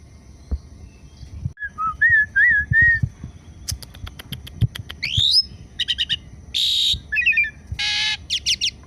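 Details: Indonesian Asian pied starling during its morning activity: a string of wavering mid-pitched whistles gives way to a rapid click train, a high rising sweep, and loud harsh noisy bursts mixed with short chirps.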